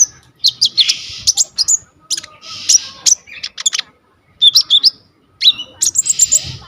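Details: Konin, the coconut lorikeet, giving energetic varied song for tutoring songbirds, phone-recorded: clusters of sharp high chirps and rasping buzzy screeches, grouped in bursts separated by short silences.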